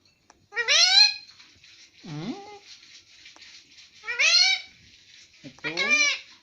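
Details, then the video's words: Pet rose-ringed parakeet talking indoors, mimicking the words mummy and papa: three loud, raspy, harmonic word-like bursts spaced over several seconds, one dipping lower in pitch, over a faint steady background hiss. "parrot talking mummy and papa"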